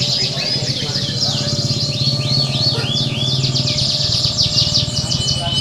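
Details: Canaries singing together at a singing contest, recorded as a contest simulation for training birds: dense overlapping high trills and rapid buzzy rolls, with looping whistled notes sweeping up and down, over a steady low hum.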